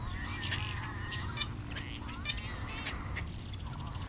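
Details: Flock of Tricolored Blackbirds (Agelaius tricolor) along a road at San Jacinto Wildlife Refuge, Southern California: overlapping harsh, nasal, cat-like mewing calls, like cats fighting, over a man talking and a low rumble of wind or traffic.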